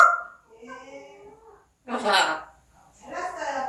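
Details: Pet parrot vocalizing: steady whistled tones held for about a second, then two harsher speech-like syllables.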